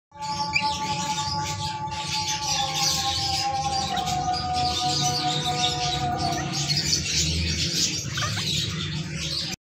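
A flock of lovebirds chirps without pause: a dense chatter of shrill, high squeaks and tweets from many birds at once, over a steady low humming tone.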